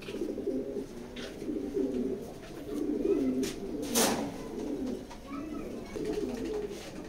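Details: Racer pigeons coo softly in low, warbling phrases, with scattered clicks and one loud sharp bang partway through.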